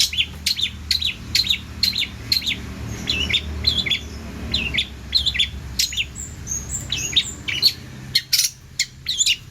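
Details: Long-tailed shrike singing an energetic song stuffed with mimicked sounds, meant to tutor other songbirds: steady series of sharp chips and short twitters, with a thin high whistled phrase partway through.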